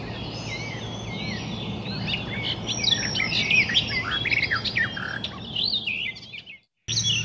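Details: A wild icterine warbler delivers a busy, jumbled song mixing squeaky whistles, scratchy chatter and swooping slurs in quick succession. Steady low hum throughout, then a brief moment of silence near the end.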